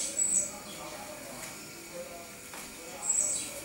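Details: Great tit (Parus major) on 29 October 2012: a short cluster of piercing high squeaks opens the clip and a similar burst returns about three seconds later. Quiet steady hum underneath.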